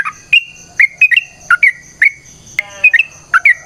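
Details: Sooty-headed bulbul giving a long fighting song as a lure for other bulbuls: spaced, liquid whistled notes, some slurred downward, about two a second, with one sharp crack and a steady thin high tone.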